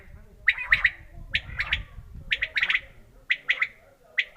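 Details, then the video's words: Quail, possibly a black francolin as the tags suggest, gives short, harsh, clipped calls in quick groups of two or three notes, repeated roughly every second, over a low background rumble. "Quail sound/Batir ki aawaz/بٹیر کی خوبصورت آواز/بٹیر کی بولی"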